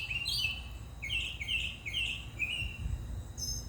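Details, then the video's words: Mockingbird song made of quick, varied bright phrases: slurred, warbling notes rising and falling in a rapid run, with a thin high note near the end, over a low background hum. "Sounds of our mockingbird"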